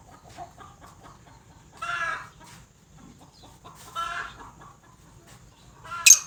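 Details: Female black francolin giving harsh, grating calls roughly every two seconds, three loud rasping notes with faint softer notes between them, in a quiet setting.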